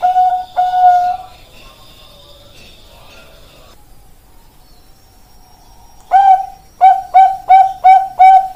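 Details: Bangkok-type zebra dove, starting with a long drawn note, then a stretch of thin, higher whistled tones. A short pause follows before a crisp series of six quick, evenly spaced coos closes the passage.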